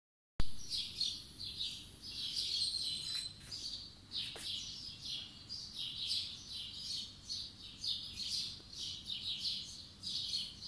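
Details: Birds singing on a spring morning in 2020: a dense, continuous chorus of high chirps and twittering phrases overlapping throughout, with short sharp clicks near four seconds and a low background hum.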